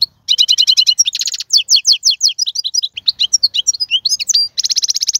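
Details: European goldfinch male in full song, offered as a model for fledglings to learn: continuous rapid twittering with tinkling repeated notes, buzzy rattles at the start and a long nasal trill near the end.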